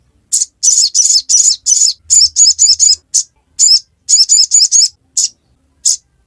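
A Crimson Sunbird gives very high, thin chirps in quick bursts, with runs of rapid zipping double notes and short pauses between phrases.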